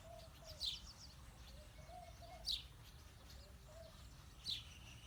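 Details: House sparrows, male and female: three single sharp chirps spaced about two seconds apart against a low, steady background hum.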